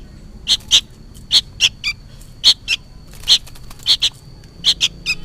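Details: Young sooty-headed bulbul making noisy calls as if summoning its parent; harsh, clipped chirps in pairs, some dropping slightly in pitch at the end, irregularly spaced, with a faint constant high tone.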